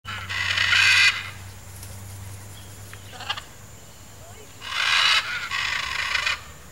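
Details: A pair of blue-and-yellow macaws, camouflaged in riverside forest vegetation in Brazil, giving loud harsh raspy screeches, two long bursts at the start and two near the end, over steady low background hum.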